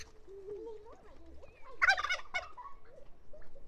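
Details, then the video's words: Turkey producing a single loud, gurgling gobble burst midway, preceded by softer wavering tonal sounds and followed by quieter calls. "Turkey Sound – Hear the Funny & Unique Calls of This Amazing Bird!"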